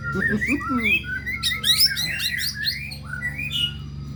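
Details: Murai batu, the white-rumped shama, in pancingan murai pastrol song: sequences of clear rising whistles and quick looping notes, a dense burst of high chirps midway, with some low swooping sounds at the start and a steady background hum.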